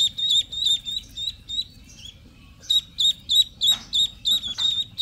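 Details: Ducklings giving bright, high-pitched peeps in quick bursts, with a short lull mid-way before the rapid repeated chirping resumes. A few soft rustling sounds are also heard.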